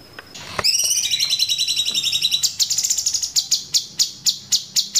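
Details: Sooty-headed bulbul in ngeplong variation song style, used as a master recording: a high sweeping whistle opens into a long buzzy trill, then breaks into evenly spaced sharp chips about four per second.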